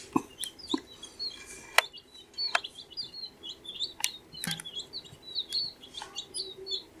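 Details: Baby chicks, fourteen days old, chirping: many high, thin peeps overlapping in quick succession, some rising and falling, mixed with scattered clicks and low scratching knocks from the flock.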